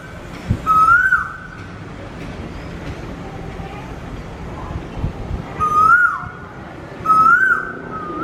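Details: Asian koel singing in Vizag, giving rising whistled notes, one early then two close together near the end, against a constant noisy background with faint murmuring.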